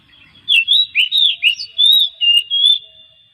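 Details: Oriental magpie-robin singing, used to prompt other magpie-robins to sing daily: a rapid string of loud, sweet whistled notes, slurring up and down, about eight phrases in under three seconds against a clean, quiet background.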